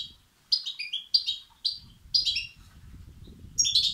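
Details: Goldfinch chicks begging, intended to rouse male European goldfinches; a few sharp, high chirpy bursts with pauses between, over a faint low background murmur.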